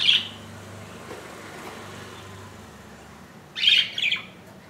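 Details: Inch-long budgerigar chick on its second day in the nest after hatching on 15 July 2018; a short raspy squawk, a long quiet gap, then a burst of two harsh calls.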